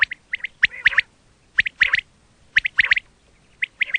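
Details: Quail calls used by hunters: scratchy, chirping notes in tight clusters of two to four, with gaps of about a second between clusters.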